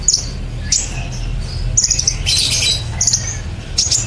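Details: Singing sunbird (kolibri ninja) performing 'nembak cililin' for a songbird training recording: jumbled high chirps, rasping bursts and thin slurred notes in quick succession, with quiet low rumble behind.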